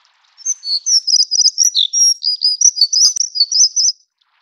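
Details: Plumbeous redstart, Taiwan endemic subspecies living by low and mid-elevation streams: one sustained high twittering strophe of buzzy trills, chips and downslurred whistles, about three and a half seconds long after a brief pause.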